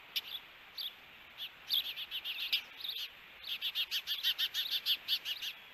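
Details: Osprey pair at their nest in Hellgate Canyon, Missoula, Montana, June 21, 2022, during an encounter, captured by a nest camera. Shrill whistled chirps start scattered, then speed into a rapid, even series of about a dozen notes over steady hiss.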